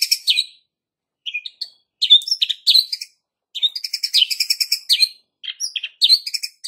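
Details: White-rumped shama lure song, calm but sharp, for provoking young and juvenile wild fighter birds: rapid bursts of harsh, high-pitched chattering and clicking notes in repeated phrases separated by short pauses.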